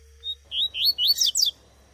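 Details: In the wild bush, a female Double-collared Seedeater gives about six high, thin, slurred whistles in quick succession, some rising and some falling, over a faint low hum.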